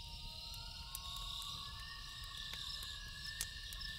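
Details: Loons calling at night: several smooth tones rise and overlap, one climbing steadily higher, like a drawn-out wail. A constant cricket chorus and sharp snaps of a campfire accompany them.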